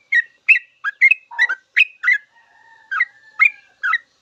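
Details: Sooty-headed bulbul full 'ropel' song, used to teach caged birds: crisp slurred whistles spaced about every half second, one lower rougher note, and a faint drawn-out whistle running beneath the later phrases.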